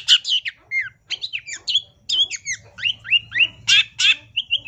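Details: Long-tailed shrike song meant as a training master for songbirds: quick phrases of slurred whistles and scratchy notes, repeated in lively bursts, with a faint low hum in the background.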